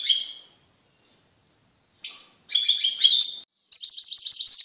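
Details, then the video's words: Caged male European goldfinch singing after separation from a female canary; scattered twittering phrases, then a longer run of quick liquid trills and buzzy chirps at the end. "تغريد قوي لذكر طائر الحسون بعد عزله عن أنثي الكناري"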